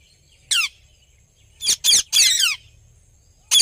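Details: Indian ringneck parrot in a happy mood calling with loud, grating screeches, some falling in pitch at the end, in a single call, a rapid cluster of three, then one more.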